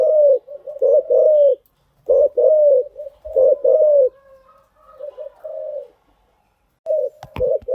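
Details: Spotted dove cooing, used as a lure recording to train newly caught birds to call; deep, mellow, rolling coos in phrases of two or three notes, a few pauses between phrases, and a sharp click near the end.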